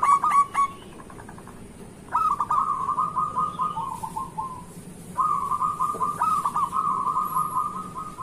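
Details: Local zebra dove in full morning song, meant to lure lazy zebra doves into calling: clipped opening notes, then two long bubbling trilled coos separated by a short pause.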